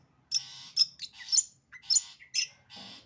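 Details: Long-tailed shrike giving sembur-style song: five harsh, squawking and buzzy notes over three seconds, some with a sharp whistled edge, irregularly spaced.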